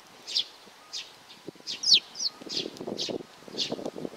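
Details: A few loud, high chirps from a young sparrow, one sharp slurred note in the middle, followed by low rustling and scratching.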